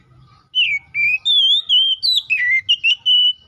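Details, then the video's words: Kept white-rumped shama singing loudly as a rival-calling lure for other shamas, a brief string of pure whistled notes, level then rising and falling, ending on a long steady whistle. "KACER GACOR NGEPLONG❗MEMANGIL LAWAN PALING AMPUH BUAT PANCINGAN KACER BIAR CEPET GACOR!"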